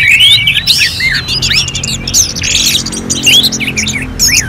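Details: Orange-headed thrush song in a contest-simulation track: loud tumbling twisted whistles and sweeping upward slurs, busy and overlapping, with faint steady background tones underneath.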